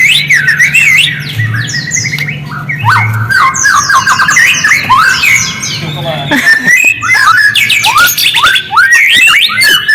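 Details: White-rumped shama song used as a lure to make silent shamas respond: loud, rich, varied whistled phrases with rapid rising and falling notes and trills, almost continuous, over a steady low electrical hum.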